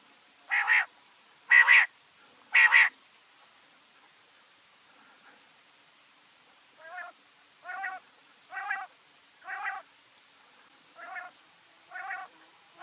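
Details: Quail (batair) associated with Mianwali, Pakistan: three loud, rich, buzzy notes about a second apart, then a pause and a longer run of softer, evenly spaced harmonic notes.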